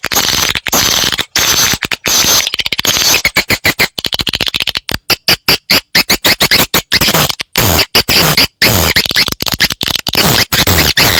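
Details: Swiftlets chatter in dense, rapid bursts of harsh, buzzy chirps, broken by short gaps, over a constant hiss; the calls are played to attract swiftlets to settle and nest in prepared sites.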